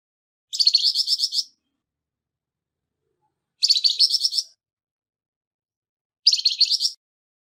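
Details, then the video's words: Flamboyan bird giving a harsh voice, used as tutor material for songbirds: three rough, buzzy rattling phrases, each about a second long, made of rapid pulsed notes and separated by roughly three-second silences, with no other sounds. "Burung Flamboyan Suara kasar"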